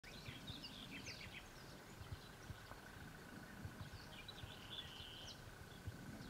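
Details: Cirl bunting song at Lake Kerkini National Park, Greece, April 2024: a dry rattling trill of rapid same-pitched notes with scattered high chirps, over steady low rumble and faint hum.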